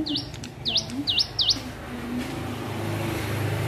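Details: Young hill prinia learning to sing: four clear V-shaped whistled notes, each dipping and rising again, spaced about a third of a second apart, then stopping, with low rumbling traffic noise underneath.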